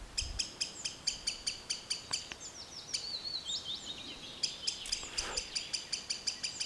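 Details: Green sandpiper in woodland calling with long series of clipped, high repeated notes, briefly broken by a wavering, slurred passage before the quick ticking resumes.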